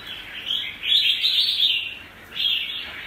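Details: Red-whiskered bulbul of the apricot-coloured 'mơ' variety singing in the double-voice style: bright, warbled phrases sweeping between high notes, loud bursts near the start and again near the end with a short dip between.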